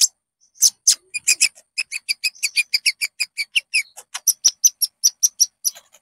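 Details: Caged-bird lure song of the konin, or olive-backed sunbird: steady fast train of bright high chirps, about five per second, each with stacked bands, after a few opening notes.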